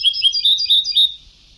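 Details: Brief, loud run of European goldfinch song from an old Sebtawi-style tape: quick, bouncy, high chirps tumbling into one another over about one second.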